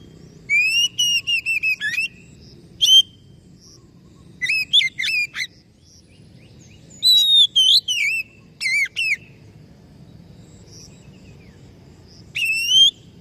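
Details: Oriental magpie-robin singing loud, clear whistled phrases in bursts separated by short pauses, with rising and falling slurred notes and quick chirps; faint low background hum.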